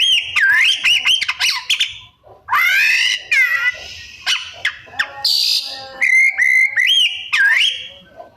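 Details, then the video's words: White-rumped shama delivering varied mimicked song: swooping whistles, a harsh buzzy squeal, rapid chips and clicks, then repeated looping whistled phrases over a faint lower hum. "Cara Jitu Membuat Suara Kacer Gacor Rajin Bongkar Isian - 99% Burung Kacer Isian Mewah"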